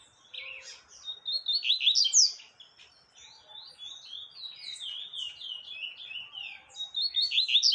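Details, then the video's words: Double-collared seedeater song used to teach young birds; a fast, high, twittering run of slurred notes and short trills, rising and falling, with brief pauses between phrases. "Papa capim tui tui pra Ensinar filhotes"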